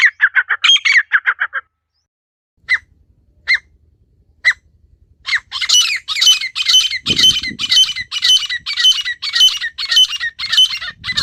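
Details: Natural call of a wild female partridge. A burst of harsh notes and a few spaced single calls lead into a fast, regular series of loud, rasping calls. Faint low rumbling underneath.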